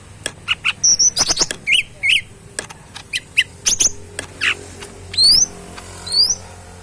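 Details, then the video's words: Tame kept cucak mini bulbul singing vigorously: scattered sharp clicks mixed with short chirps, whistled upslurred notes and a few high rising whistles near the end, against low steady background hum. "burung cucak mini gacor full yang terbaik"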